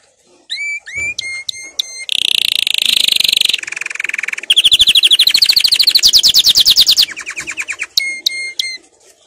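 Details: Canary singing a training song, with hooked whistles and flat notes, a harsh broad buzzy burst, then a long rapid rising trill, closing with more clear flat whistles.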